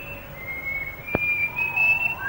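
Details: Plain babbler in the Malaysian rainforest, recorded between the late 1950s and early 1960s: long, steady whistled notes on one high pitch, sliding slightly up and down, with one sharp click in the middle.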